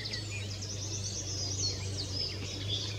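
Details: Long-tailed tits at Spieckern, Wuppertal-Beyenburg, Germany, 2021, giving thin, very high, overlapping see-see notes in quick succession, as from several birds, over a steady low hum.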